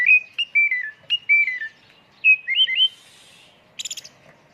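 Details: Oriental magpie-robin lure song in full-filler 'tembakan' style: clear whistled notes, some held and some falling, then quick upslurred phrases and a final harsh rattling burst; otherwise quiet.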